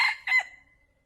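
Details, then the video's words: Tail end of a male wild junglefowl crow used as a trapping lure: two harsh bursts, then a thin, fading held note in quiet surroundings. "เสียงไก่ตัวผู้ใช้ต่อเข้าเร็วมาก | wild fowl sound for trap|suab qaib qus qua zoo heev"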